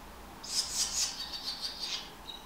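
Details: Swallow chicks, one of five in a nest in a back passage, beg while being fed, filmed on a Canon 600D: a burst of high, hissing, buzzy chirps in quick pulses that trail off into a thin squeak.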